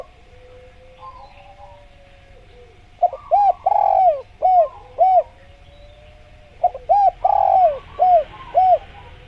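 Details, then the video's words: After a quiet stretch with a thin steady hum, a spotted dove (tekukur) on a masteran track delivers two cooing phrases, each of several short arched notes around one longer, downward-gliding coo. "Masteran Tekukur Biar Cepat Bunyi | Natural Jungle Dove Sound Effect"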